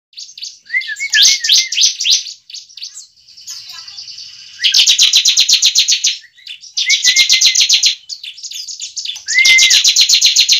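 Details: Bar-winged prinia fighting song used as a lure to make a kept bird sing and fight: loud bursts of rapid, buzzy repeated notes, about four per second, each burst preceded by a short whistled note, with brief quieter pauses between bursts.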